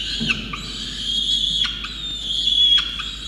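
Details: Begging peregrine falcon chick being fed a soaked starling by its wet parents, Orange, New South Wales, Australia, 5 November 2021. A continuous high, harmonic wail runs throughout, broken by brief sharp catches in the voice.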